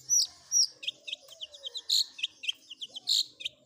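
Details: Long-tailed shrike fill-in combination song: loud harsh notes alternating with quick series of sharp chips, and soft lower whistles in the background.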